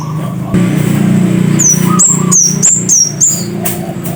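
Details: Scarlet-headed flowerpecker (cit kersen) singing a quick series of six thin, very high, slurred notes over a loud steady engine-like hum, with a brief lower whistle in the middle.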